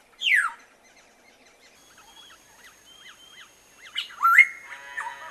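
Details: Black-naped oriole tending and feeding young: a harsh, nasal squawk falling in pitch opens the sequence. Quiet wavering chirps follow, and a loud rising call flattens into a sustained note near the end, over light background rustle.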